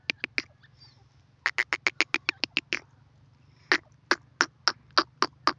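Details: Rapid staccato clicks from a female grey francolin, or teetar, come in uneven runs with gaps, over a low constant hum in the background.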